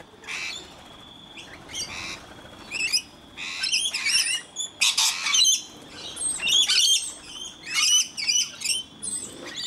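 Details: A flock of rainbow lorikeets, joined by a single scaly-breasted lorikeet, being fed in Mt Gravatt, Brisbane, Australia: a near-constant chatter of shrill, raspy squawks and screeches, many birds calling over one another in uneven bursts.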